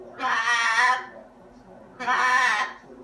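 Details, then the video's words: Talkative pet macaw vocalising indoors: two raspy, voice-like utterances, each under a second long, separated by a short pause. "Talking Parrot ELVIS THE MACAW"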